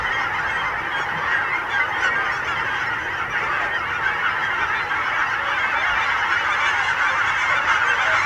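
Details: Thousands of wintering Canada geese landing at William L. Finley National Wildlife Refuge, recorded December 29, 2013 from McFadden's Marsh Trail and Observation Blind; a dense, continuous chorus of overlapping honks with no pauses, steady loudness throughout.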